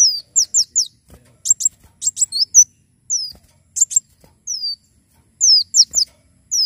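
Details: Javan sunbird in sustained song for teaching and prompting other birds: shrill down-slurred whistles in runs of two or three, interspersed with sharp high chips, pauses of about a second between phrases.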